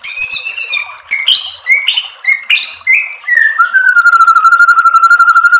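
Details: White-rumped shama tutor song played to provoke a reply: varied slurred whistles stepping downward in pitch, then a rapid, steady, even trill on one pitch that continues for about two seconds.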